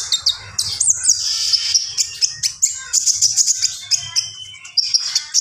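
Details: Common iora, gacor song: a rolling high whistle opens a long run of shrill chattering and twittering notes, sustained with only tiny breaks, over a soft low hum.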